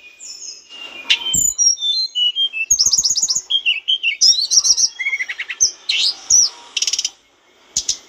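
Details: Mountain bush lark song used as a training recording for cage birds: fast, varied high chirps, slurred whistles and rapid trills, packed densely with brief pauses.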